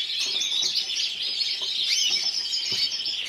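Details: Runner-up individual canary, yellow frosted lipochrome, Burgos 2014 show: a short stretch of dense, high, chattering trills and upward-sweeping whistled notes, sung without pause.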